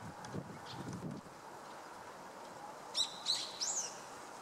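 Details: Black-faced bunting recorded on 2 January 2013 in winter along the Tama River; a few thin, high, sharp call notes near the end, about three short clicks in quick succession, after low rustling and background hum.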